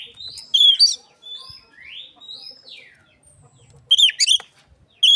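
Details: Oriental magpie-robin copying an Asian pied starling, meant as a lure for other magpie-robins: slurred whistles rising and falling in pitch, then a sudden burst of sharp, chattering notes toward the end, over faint low background noise.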